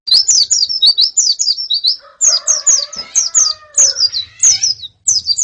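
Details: Female and colony white-eye calls used to prompt a male's song: rapid high, descending chirps repeated steadily, overlaid midway by a lower, harsher, rasping sound.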